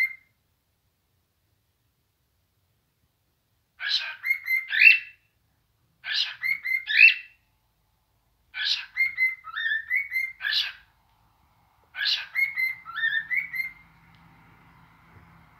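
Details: A caged cockatiel, said to be bored in its cage, gives bursts of shrill, chirpy whistles, each about a second long, repeated every few seconds.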